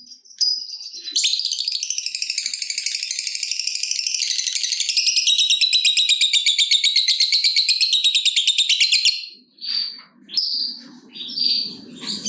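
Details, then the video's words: Lovebird giving a long ngekek trill meant to stimulate other lovebirds: a rapid buzzy chattering run lasting about eight seconds at a steady high pitch, followed by scattered squeaks and low rustling. "Lovebird Gacor Ngekek Panjang !! Pancingan Top Lovebird Apapun Bikin Rajin Bunyi Ngekek Panjang"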